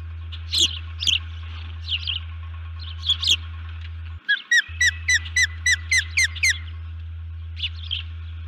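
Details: Female osprey at a nest camera on 1 June 2019 around 4:35 am, calling in alert after something upset her: scattered sharp chirps, then a quick run of about nine whistled, downslurred yelps, with a steady low electrical hum throughout.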